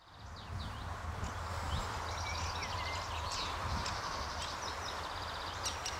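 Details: Juvenile Great Spotted Woodpecker being fed at a nest hole in a tree near a gatehouse, RSPB The Lodge, Sandy, May 2011, evening; faint high chattering bursts run through the clip over a steady low rumble.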